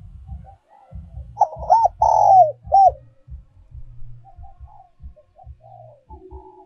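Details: Decoy song of a spotted dove, giọng còi style, also called giọng kim: one clear phrase of coos, a held loud note and a short closing coo, followed by quiet murmuring and steady low thumps.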